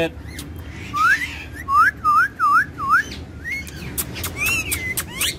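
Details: Pet ringneck parrots, two friends that dance and talk: loud clear whistled notes that swoop down and up, repeated about four times in quick succession, followed by higher chirps and squawks.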